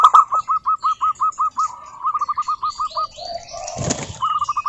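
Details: Local zebra dove song meant to prompt other doves to sing: an even string of about a dozen hooked coo notes, then a second faster run, a brief flutter of wings and a final short phrase.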